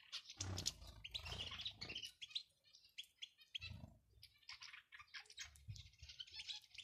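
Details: Male and female European goldfinch calls meant to make a male sing: scattered high twittering chirps in irregular clusters, separated by brief pauses, with low thuds beneath.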